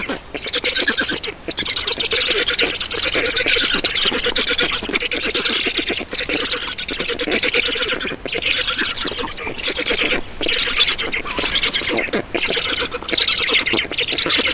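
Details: Black storks being fed at their nest in Estonia, 7 June 2019, 16:44; a nearly unbroken stream of hoarse, wheezing rasps that swell and fade, with only a few short breaks.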